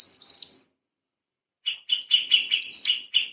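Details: Light-vented bulbul, training recording for magpie-robins: high sliding whistles, a second of silence, then a rapid series of chirps overlaid with further thin whistles.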